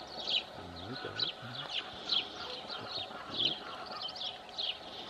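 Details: Harsh, grating chatter of rosy starlings at Congosto, June 2021, in loud bursts about every second over a constant background babble of calls. A man speaks quietly in Spanish at the start and again midway.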